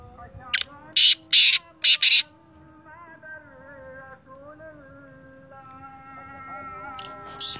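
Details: Sindhi teetar, the Black francolin, delivers a quick series of four rasping, buzzy notes, then falls silent while soft droning music continues; a faint harsh note returns at the end.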